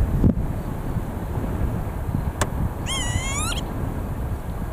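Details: A single wheezy, rising Northern Lapwing call in Bucharest, Romania, slightly wavering and about half a second long, over steady low wind rumble, with a faint click or knock just before.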